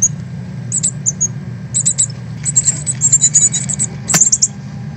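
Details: Young Northern cardinals leaving the nest to learn to fly, 13 August 2020, live stream: clusters of thin, high-pitched chips, sparse at first, then dense rapid runs, with a sharp click near the end and low background hum.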